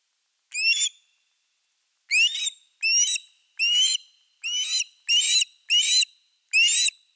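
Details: Osprey calling at its nest with a fish, Finland, 4 August 2024: one shrill whistled yelp, a pause, then seven more loud, rising-falling piercing notes spaced about half a second apart.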